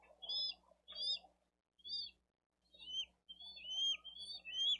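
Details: Bald eagle chick begging for food at a nest in Dade County, filmed by a live nest camera on 13 April 2023 while an adult brings fish and the eldest chick is fed; thin high whistled chirps in bursts, with a low hum.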